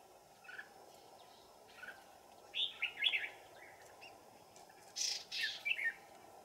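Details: Red-whiskered bulbul decoy drawing wild birds to a trap deep in the mountains, cold afternoon of 15 December 2018; scattered warbled phrases building to a louder burst near the end, over a steady insect drone.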